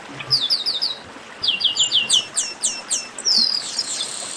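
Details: Chestnut-capped blackbirds in group chatter, used to warm up singing birds. Evenly spaced high chirps in a quick run, then a longer series of loud slurred notes ending in a rushing buzz.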